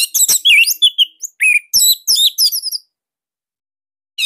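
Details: Bali orange-headed thrush song used as a master recording for training cage birds, a tight, loud voice type meant to prompt silent birds to sing: rapid bursts of loud, varied whistles and chirps for almost three seconds, then silence and a brief final note.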